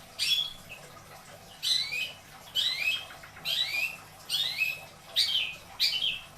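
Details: Pet long-tailed shrike in a cage in Indramayu, Indonesia, gives a series of harsh rasping notes, each ending in a short rising whistle, repeated roughly every second.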